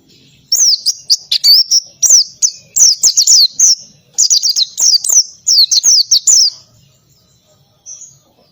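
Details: Oriental white-eye in a noisy ngalas song with canary-style bursts: a long, rapid string of piercing high whistles, each dipping and rising, delivered in dense clusters for six seconds before a final thin note.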